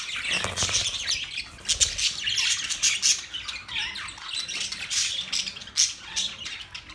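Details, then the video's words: Continuous budgerigar chatter: many high, scratchy chirps and warbles overlapping without a break, with faint low rustles. "Sound of Budgies parrot Budgies chirping sound"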